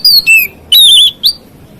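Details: White-rumped shama singing to provoke other shamas: a few loud, clear whistled notes, one falling, one long and level, then a short upward flick.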